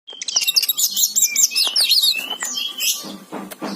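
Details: Oriental magpie-robin singing in full gacor style: a rapid run of high, varied whistled and chirped notes, looping and sliding, mixed with sharp clicks and a few scratchy bursts toward the end.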